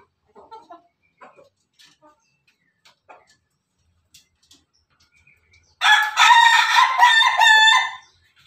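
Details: Pelung chicken rooster crowing: after soft scattered clicks, one loud two-second crow starts abruptly, a rich harmonic, slightly wavering drawn-out call that holds steady and then cuts off.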